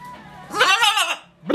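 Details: A large captive macaw that sings and talks gives a harsh, wavering, speech-like utterance about half a second long, rising then falling in pitch, a second phrase starting at the end, over a faint steady tone.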